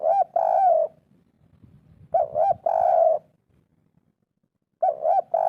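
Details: Spotted dove calling in the local kuk 3 style to spur quiet birds: two short rounded coos followed by a longer wavering coo, repeated roughly every two and a half seconds over soft low background noise.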